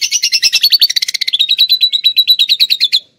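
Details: Canary singing lovebird-style phrases it has learned, usable for training cage birds: a loud, fast trill of sharp high notes, about eight per second, sliding from a chattering start into an even, steady series before stopping.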